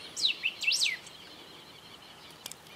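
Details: A golden-billed saltator in Esperanza, Argentina, recorded in 2019, gives one brief phrase of strong looping whistles. Quiet background follows, broken by a faint click.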